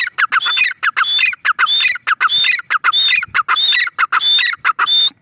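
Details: Female teetar, the grey francolin, repeating a harsh, crackling phrase capped by a short rising whistle, over and over at a brisk even pace through the whole stretch.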